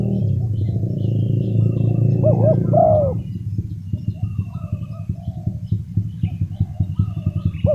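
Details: Spotted dove kept as a lure for wild doves, giving a pair of hoarse arched coos early on, then a steady low rhythmic mechanical throbbing with faint bird twitters behind it.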